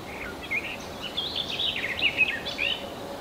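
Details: Two-day-old redwing chicks in the nest, Kalinovsky forest park, Yekaterinburg, 23 June 2020: thin, high chirps and squeaky twitters in a rapid, irregular stream over steady background noise.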